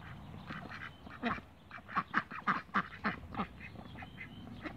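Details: Backyard Cayuga ducks, a quiet start then a loud series of about eight harsh quacks in quick succession, followed by softer calls.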